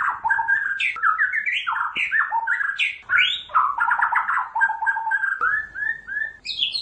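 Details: White-rumped shama delivering a dense, continuous song of swooping whistles, rapid trills and sharp upward notes, closing with clear rising whistles.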